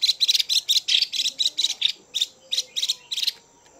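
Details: Harsh chùi calling by a female Chinese hwamei, made to excite males. Loud, buzzy, rasping notes come in quick succession for over three seconds, some doubled, then the series stops abruptly.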